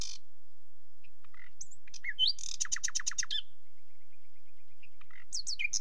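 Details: Song of a nightingale: a high opening note and scattered chips, a buzzy burst leading into a rapid run of repeated strokes, a faint steady piping series, then high slurred notes.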